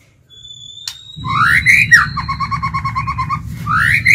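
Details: Caged decoy White-rumped shama singing to lure wild birds: a rising whistle, then a run of quick repeated notes and another upward sweep, over a steady low hum.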